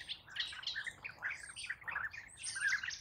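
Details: European bee-eater calls in a busy overlapping chatter of rolling, trilled notes, several voices running together almost without a break.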